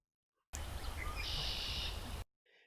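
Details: A Red-winged Blackbird (Agelaius phoeniceus) sings a couple of short clear notes, then a long buzzy trill, over a steady low wind-like rumble, in a long field recording.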